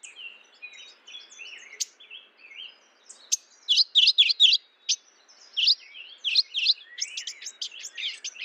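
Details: Mourning warbler calling, a run of bright, quick chirping notes that starts softly and grows louder into clustered bursts of rapid slurred chips, with fainter bird notes behind.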